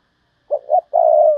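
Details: Decoy spotted dove, thúc bổi calling: two clipped low notes followed by a drawn-out gently falling coo.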